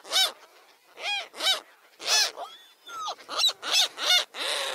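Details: Seagulls give strong, ringing arched cries, singly or in pairs about once a second, with softer thin whistled notes and a short rough call at the end.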